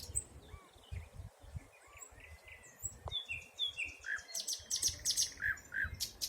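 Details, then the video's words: Birds in a forest in spring 2020 give soft high calls, then a burst of rapid sharp chirps and a couple of lower downslurred notes near the end. "Пение птиц. Весна 2020."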